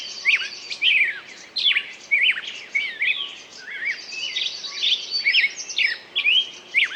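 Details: Birdsong with dense, overlapping chirps and twisting whistles, plus a brief buzzy high trill, flowing almost without pause against soft background hiss.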